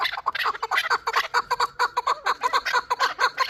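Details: Young chukar partridge from Shurobod, hatched the previous year, delivering a fast run of harsh clucking notes, about two per second, evenly loud throughout.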